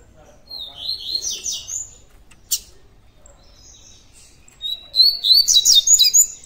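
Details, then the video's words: Double-collared seedeater in the tui tui diamante song style, a caged bird delivering buzzy warbled phrases, a lone sharp click, then a loud burst of quick repeated high notes about four per second. "COLEIRO TUI TUI DIAMANTE FIBRA PURA"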